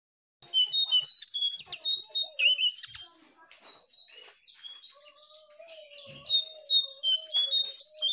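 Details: Jongkangan lure recording meant to coax caged birds that have stopped singing: rapid, high chirps and thin whistled notes tumble loudly for two seconds, then a softer twittering continues under a steady lower whistle.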